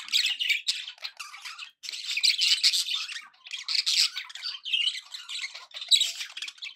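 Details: Pet budgerigars giving happy chatter: bright, scratchy warbling and squeaky chirps in clustered bursts, a short gap near two seconds, then continued lively overlapping twitter with sharp high notes toward the end.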